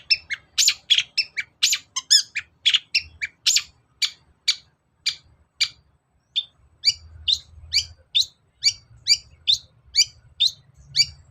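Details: Long-tailed shrike used as a lure for reluctant birds, giving a rapid run of harsh chattering notes that slows into a steady series of short, high, scratchy calls about every half second.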